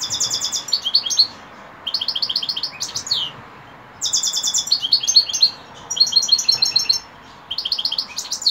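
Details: European goldfinch singing in the evening, with bursts of rapid, bright, repeated twittering notes and buzzy slurs. The phrases last about a second and are separated by short pauses.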